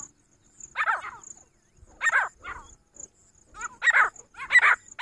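A female Grey francolin gives harsh, rasping bursts of notes, repeated about every second and a half, over a faint thin high whine in the background.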